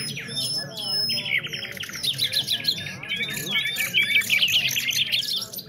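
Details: Nightingale singing at a singing competition in Afghanistan: rapid, high, twittering and trilled phrases with sharp whistled notes and overlapping song lines, over a low murmur of crowd voices.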